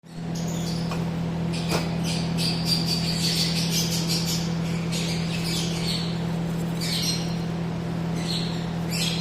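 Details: Yellow-collared lovebird calling: bursts of shrill, harsh squawking chatter come in uneven clusters over a steady, loud low mechanical hum throughout.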